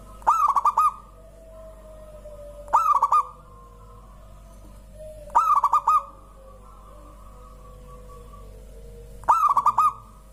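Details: Singing local zebra dove that prompts other birds to sing: four rolling cooing phrases at regular intervals of about three seconds, with a fainter, drawn-out lower tone sliding between them.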